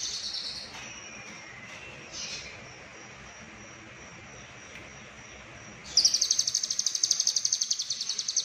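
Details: Lovebird in the konslet style with full fill-ins: faint, high, sustained trilling for several seconds, then a loud, buzzy, fast-pulsed trill bursting in over the last two and a half seconds against quiet background hiss.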